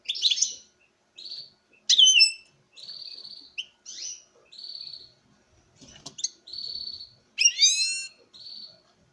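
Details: Captive-bred European goldfinch, a male singing in front of a female: alternating nasal buzzes and bright liquid flourishes, including a rising series of whistled slurs near the end, with one brief cage rattle.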